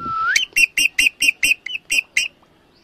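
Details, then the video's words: Female Alexandrine parakeet (pahari tota) opening with a long rising whistle, then a run of about eight sharp, evenly spaced squawking notes, roughly four per second, over a soft background hum. "पहाड़ी तोता की आवाज #pahari_tota #female_alexadrine_parrot_sound"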